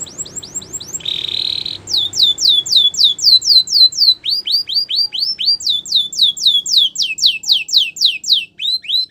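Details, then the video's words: Canary singing for training: a short buzzy trill, then steady runs of high falling whistled notes repeated about four per second, with faint low background noise. "The Best Canary Training"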